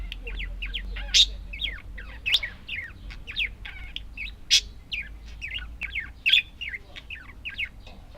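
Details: Budgies twitter continuously in short rising and falling chirps, with several loud sharp squeaks spread through the stretch and a low hum underneath.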